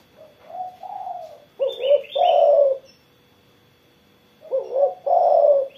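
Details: Spotted dove sings after morning sunning. Two similar phrases each begin with short soft coos and end in a long, strong, slightly falling coo, with a quiet gap between them.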